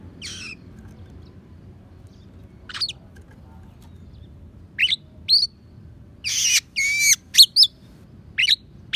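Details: Magpie-robin song stuffed with sparrow and prinia phrases for tutoring other songbirds: scattered sharp upward-flicking notes and chirps, then a quick run of harsh rasping bursts and twisted whistles near the end, with faint low hum beneath.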